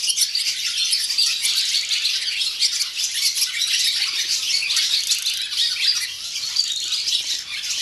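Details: Morning chorus of many barn swallows at a swallow farm in Gelselaar, Netherlands, a steady wall of high, scratchy twitters and rapid chatter, loud and unbroken for the whole stretch.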